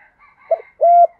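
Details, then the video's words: Female spotted dove used as a decoy, calling to draw males: one brief muffled note, then a single clear, level coo with rounded ends, over faint distant dove calls. "Tiếng cu mồi gáy gọi kích bổi chuẩn, Cu gáy mồi gáy gọi 1 hậu, Chim cu gáy kích trống hiệu quả"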